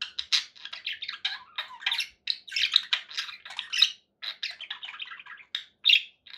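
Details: Indoor pet budgerigars chattering without pause: rapid, raspy warbling chirps and squawks overlapping in a continuous busy stream, with one sharper squeal near the end.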